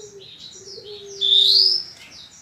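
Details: Horsfield's bushlark training song from a 2022 compilation: soft high chirps over a low steady tone, then one loud drawn-out rising whistle followed by a short burst of high notes.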